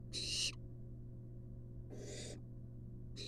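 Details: A wild barn owl chick in a nest box begs while its mother delivers a long-tailed rat: loud breathy screech bursts, one strong and two softer, separated by silence and a continuous low hum.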